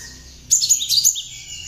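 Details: A tame, hand-raised Java sparrow with prinia-like notes in its song, used as a lure or tutor bird, gives a quick burst of high, thin chirps and twittering notes lasting under a second, over a faint low hum.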